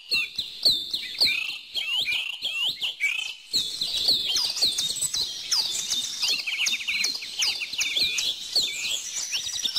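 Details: Bird song with many overlapping voices: quick high tweets and clipped chirps tumbling over each other, growing denser and more continuous in the second half.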